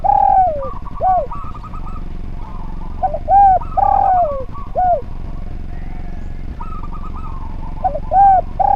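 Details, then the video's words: Spotted dove on a tutor recording for other birds, repeating its phrase: loud arched coos and longer downward-sliding coos, returning about every three seconds. Softer warbled tones sound between the phrases. "Derkuku Gacor Suara Nglaras, Masteran Derkuku Paling Top Cer"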